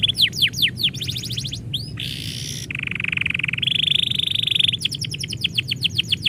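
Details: Domestic canary singing as its owner is about to leave: varied song of rapid descending whistled sweeps, then buzzy trilled rolls and steady sustained rattling tours, ending with quick repeated chirps.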